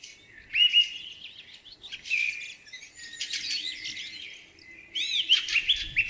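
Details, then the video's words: Song thrush in spring pouring out a varied phrase of sharp whistles, trills and quick chirps, then repeating short upslurred whistled notes near the end. "Великолепное Пение певчего Дрозда!"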